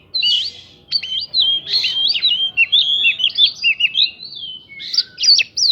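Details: White-rumped shama singing to prompt other birds to answer: varied fluid whistles and twisting phrases, rough buzzy notes in between, closing with loud sharp chips.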